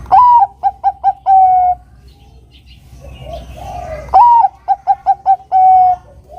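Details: Bangkok-type zebra dove in full song, used as a lure to call a rival into singing. Two phrases about four seconds apart, each a swelling first coo, four short staccato notes and a drawn-out, level closing note, with quiet rustling between.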